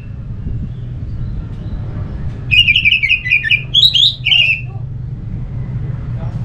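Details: Orange-headed thrush singing, its song played as a prompt to get other thrushes of any kind to sing: a short burst of fast trilled and slurred notes after two seconds of low hum, lasting about two seconds.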